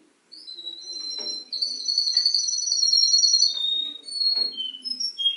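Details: Canary singing indoors, mimicking the songs of other birds: sustained high whistled notes and fast rolling trills that shift pitch, with short rising and falling whistles in between and faint clicks underneath.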